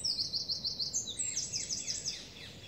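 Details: A Eurasian wren at the Parc de la Poudrerie (93), France, on 23 May 2019 gives a rapid, very high series of sharp repeated notes, about eight a second, then quick downslurred ticks over faint hiss.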